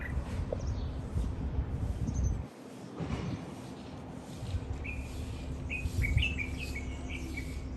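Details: Red-whiskered bulbul, an invasive exotic species, recorded in spring in the parks and gardens of Campanar, València. A short series of bright whistled phrases arrives in the second half over steady low traffic-like rumble.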